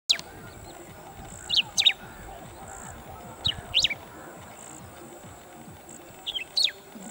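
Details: Bristled grassbird calling from an open perch in coarse grassland with bushes: sharp, high two-note phrases, a brief chip followed by a rising squeaky note, repeated about every two seconds over a steady high insect-like hum.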